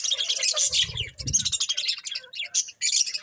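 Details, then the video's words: Colourful pet budgerigars give a fast, raspy warble of high chirps and grating chatter in clusters, with short pauses between bursts. "Cute Colourful Budgies Chirping Sounds"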